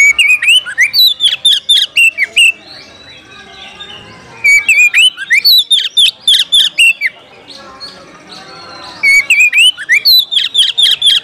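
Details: Oriental magpie-robin giving a fighting challenge to a rival, intended to rouse other birds into spreading the tail and singing with full emotion; three loud bursts of rapid, clipped whistles and harsh notes with short quiet gaps between them.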